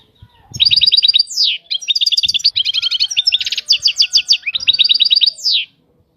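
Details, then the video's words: European goldfinch in batbata-style song: clipped trills, a descending slurred whistle, dense chattering and buzzy passages, then the descending whistle again at the end. Faint low taps are also heard. "طائر الحسون. اجمل الطيور المغردة Goldfinch. The most beautiful songbirds"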